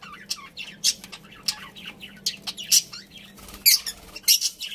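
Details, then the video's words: Budgerigars chirping and squawking in short, irregular high bursts, some harsh and scratchy, with a quiet low hum throughout. "Cute Budgies Chirping Sounds"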